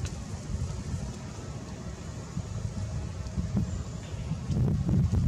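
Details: Steady low rumble of wind and distant traffic with no animal calls.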